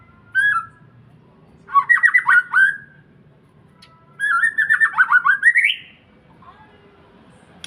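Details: White-rumped shama from Indonesia in full 'pastol' song, used to lure other birds: three loud phrases of rapid pulsed, slurred notes, each phrase rising and sweeping upward, separated by short silences.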